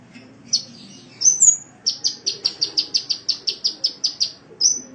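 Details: Sunbird song from an Indonesian training recording for cage birds: a few high twittering whistles, then a steady string of about fourteen sharp, bright, identical notes, ending with one thin whistle.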